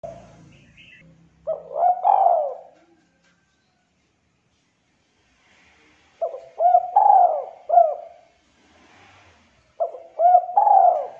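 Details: Spotted dove, a prospective contest bird with a thick, clear voice, repeating its cooing phrase three times with pauses, each a quick stutter, hooked coos and a long falling drawn note; faint low hum at the start.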